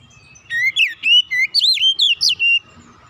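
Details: Relaxed Oriental magpie-robin song used as a lure to make young birds sing: a quick series of about ten bright, looping whistles rising and falling, with soft low noise behind.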